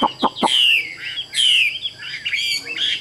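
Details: A few sharp clicks, then a tame caged Chinese hwamei delivers long, bright, sliding whistles with rich, slightly rough texture, phrase after phrase.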